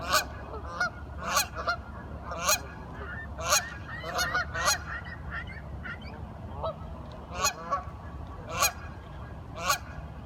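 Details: Curious ducks talking in a busy chatter of nasal, honking calls, often doubled or tripled, with sharp clicking bursts coming roughly once a second over a low background hum.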